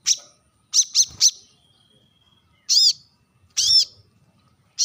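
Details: Brown-throated sunbird, locally called kolibri kelapa, manggar or wiceh, giving a sharp call to summon rivals: a quick triple of high, piercing chips, a thin faint whistle, then two longer ringing double notes, with silence between.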